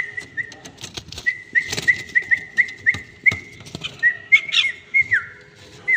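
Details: Red-whiskered bulbul, a tame bird, repeating short level whistles in a steady series, ending with a longer falling slur, mixed with loud clicks and a burst of rustling.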